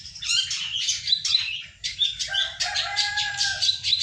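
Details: Song of a ciwah kept as a lure or master bird, rapid varied high twittering phrases, then a long steady lower whistle held under the chatter, with a constant low background hum.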